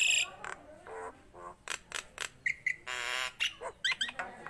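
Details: Nias hill myna singing vigorously: harsh broadband squawks and rasping bursts mixed with short clear whistled notes near the middle, then quick upward-sliding whistles toward the end, delivered in a rapid irregular sequence.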